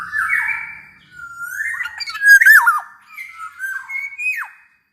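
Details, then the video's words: Chatty black-naped oriole song, offered as a master recording to get other orioles singing. A mix of flat whistled tones and sharper slurred notes sweeps downward, with one loud mid-clip phrase and quieter notes trailing off. "SUARA BURUNG KEPODANG COCOK BUAT MASTERAN DAN PANCINGAN KEPODANG AGAR BUNYI"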